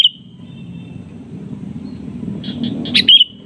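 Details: Sooty-headed bulbul calling to lure a rival, which answers back: a few soft, thin notes, then a sudden loud burst of sharp, chirpy whistled notes near the end, over a steady low rumble.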